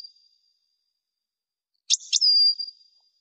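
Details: Goldfinch song used for teaching young birds: a fading thin whistle, silence, then two quick chips and a steady, clear whistled note that trails away.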